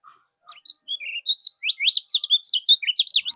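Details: Tutor song of a mol-type kecial kuning, meant to train cage birds and draw replies from rivals: a few scattered whistles build into a fast, continuous, high chattering warble.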